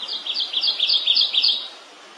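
A Kentucky warbler sings a rapid run of about six rolling two-note phrases, bright and clear, repeated several times a second before fading out.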